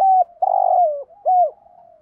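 A spotted dove gives three low, soft coos in about two seconds, the middle note longer and fuller than the other two. No other sounds are heard.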